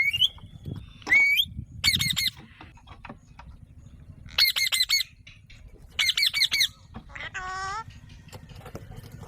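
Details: Alexandrine parakeet giving loud, harsh, buzzy squawks in tight bursts of three to five, separated by pauses; a thin rising whistle opens, and a lower, wavering tonal call follows near the end over faint background hum.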